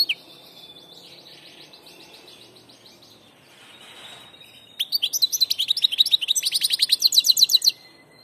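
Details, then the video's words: Passage European goldfinch holding a long, high, even tone, then launching into a rapid, bouncing trill of bright notes for about three seconds before falling quiet. "jilguero del paso(el Maestro)"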